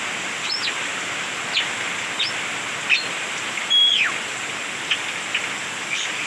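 A Coleto gives short, sharp whistled notes, several sliding steeply downward, at irregular intervals of about a second over a steady background hiss.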